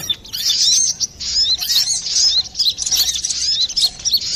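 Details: Brown-throated sunbird in busy, clear song, used for luring or training birds; thin, high, rapid chirps and brief slurred whistles run together in a steady, jittery stream.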